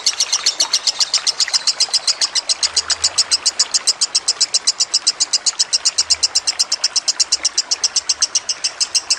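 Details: Trickling water accompanies a lovebird's tutoring song: an extended, very quick chain of shrill, buzzy chirps, nearly seven per second, with occasional faint low hums behind.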